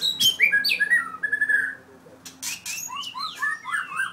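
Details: Very aggressive white-rumped shama from Merapoh, Pahang, four years old with a 7.6-inch tail, gives rich rising and falling whistles, a short pause, then quick sliding notes and clicks over a faint low hum.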